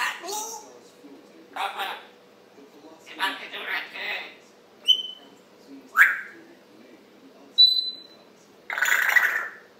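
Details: Pet African grey parrot in morning chatter, July 26, 2021: breathy speech-like phrases mixed with brief pure whistled pips and a squeaky upward note.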